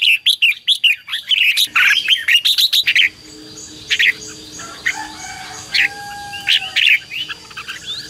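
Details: Red-whiskered bulbul in full fighting song, used to train decoy birds and call wild ones. A fast, loud stream of warbled whistles fills the first three seconds, then scattered chirps and a thin, drawn-out whistle follow.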